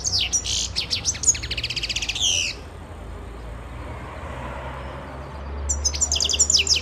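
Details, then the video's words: European goldfinch recorded in 2011 giving fast twittering phrases and a rattling buzzy trill for over two seconds, then near silence with faint hum, ending with renewed high tinkling notes. "karderina-carduelis carduelis"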